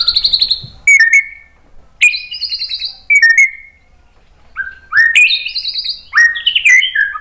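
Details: White-rumped shama song used to provoke other birds into singing: bursts of loud, clear whistles that slide downward or hold steady, with buzzy trills, separated by brief silences.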